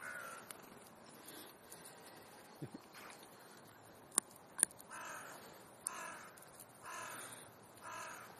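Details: Crows at an afternoon gathering in Clara Zetkin Park, Leipzig, Germany; several fairly distant harsh caws, mostly in the second half, about one a second, with faint clicks and soft background noise.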